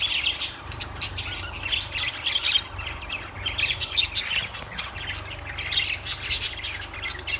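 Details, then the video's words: A flock of lovebirds keeps up continuous high-pitched chirping and squeaky squawks, with short bright notes tumbling over one another, all above a constant low background hum. "Lovebirds Sounds Birds Singing Birds Sounds"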